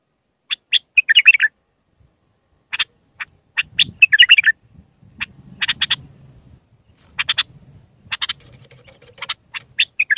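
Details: Iraqi bulbul, a raw Mandalawi-style singer, recorded as tutoring song for young bulbuls: scattered sharp clicks and short warbled phrases, with a low rumble beneath in the middle.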